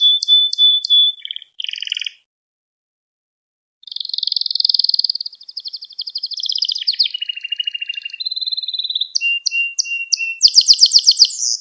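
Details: Gloster canary song used to stimulate other canaries: a few clipped notes and a short buzz, a pause of nearly two seconds, then a long bubbling trill, a steady whistle and a bright closing rattle.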